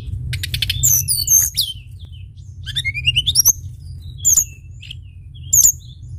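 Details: Lively Sunda bush warbler song used as a lure recording: rapid buzzy rattles, high slurred whistles, and a long rising whistled run, then scattered sharp high notes over a low background rumble.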